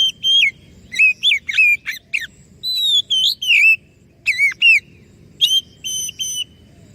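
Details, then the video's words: Oriental magpie-robin song played to lure other birds into answering: loud, clear whistled phrases with rising and falling slurred notes, short bursts repeated with brief pauses, over a low background hum. "PANCINGAN BURUNG KACER DIJAMIN IKUT NYAUT"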